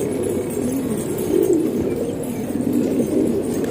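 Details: Pigeons housed indoors in Pakistan keep up a low, muffled cooing murmur, with one louder throaty roll near the middle and a constant faint hum.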